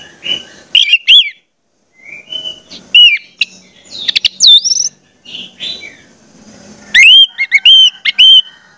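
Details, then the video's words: Orange-headed thrush singing, meant to prompt juvenile birds to sing: varied whistled phrases mixing soft buzzy notes with loud swooping upward whistles, closing on a quick series of bright repeated notes. "pancingan anis merah, trotol dengarkan ini pasti jadi calon gacor"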